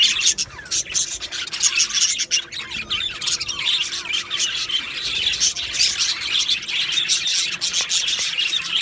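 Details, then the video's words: Budgerigars chattering in an aviary colony, bursts of high squawks and rising and falling warbled chirps from many birds, the loudness pulsing up and down. "Beautiful Budgies Birds Chirping Sounds"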